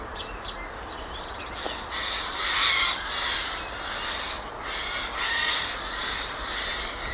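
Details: Portuguese woodland Eurasian Jay raising alarm: several grating, scratchy screeches in close succession, loudest mid-sequence, accompanied by brief high ticks and chirps of other birds over steady low background noise.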